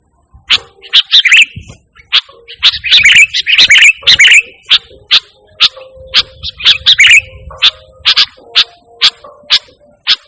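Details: Sooty-headed bulbul in lively song without mimicked phrases, used as a lure and tutor call for pet birds: bright chirped notes repeated every half second, with brief rapid bursts of bubbly twittering in between.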